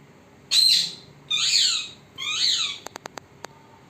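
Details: Pet parrot recorded secretly so it would not notice, giving three loud harsh screeching calls about a second apart, each broad and noisy with a descending sweep, followed by a few sharp clicks.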